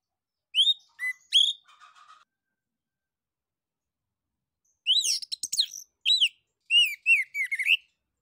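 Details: Orange-headed thrush singing as a prompt for other birds: a few sharp high notes and a soft rattle, silence, then a rapid series of bright, arched whistled notes repeated over three seconds.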